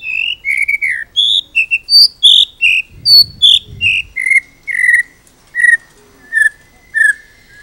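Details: White-rumped shama with a full repertoire, used to train other birds: a long series of clear, short whistled notes wandering up and down in pitch, roughly two per second, with faint low rumbling midway.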